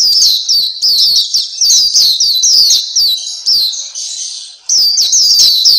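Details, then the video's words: Black-capped white-eye (pleci Papua) singing on a master recording meant to train pet birds: high, rapid twittering notes repeated about four per second, each a quick downslurred chirp, a short breathy gap near the end. "Terapi Masteran Pleci Black Capped/Pleci Papua"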